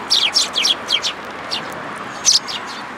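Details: Sparrows coming for food at a feeding spot in a plum tree at a Tenmangu shrine, 2 July 2022: bursts of sharp, high chirps in quick clusters, then a pause and one more loud chirp pair.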